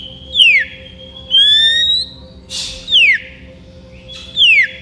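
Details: Oriental magpie-robin in full song, challenging a rival, gives loud, clear whistles, with sharp falling notes and a long, steady rising tone.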